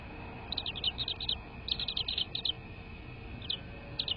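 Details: American bald eagle at a nest, from a live nest camera on 22 February 2024 at 18:13: quick series of high, squeaky chittering notes in two main bursts, then a few isolated chirps over a steady hum.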